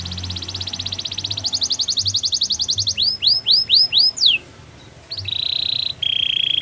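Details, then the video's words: Gloster canary song: fast rattling trill running several seconds, then a handful of loud rising swept whistles, followed by steady buzzy rolls after a short pause. "Gloster canary singing"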